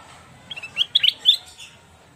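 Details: Sooty-headed bulbul, its song used for luring and tutoring other birds: a brief burst of bright, chirpy notes that rise and fall within about a second over a quiet background.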